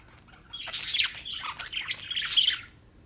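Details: Birds in New York chirping continuously: after a half-second of quiet, a busy run of harsh, squawky chirps and short bright tweets overlaps for over two seconds, then fades.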